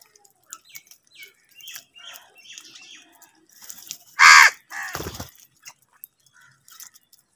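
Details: Angry crow fighting for food gives one loud, harsh, hoarse caw midway, then a lower rasping caw just after, with soft scattered chirps of small birds before and after.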